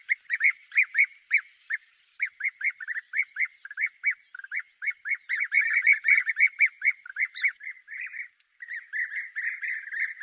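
European bee-eaters giving liquid, rolling 'prruup' notes in quick succession, overlapping as though several birds call together; nothing else intrudes.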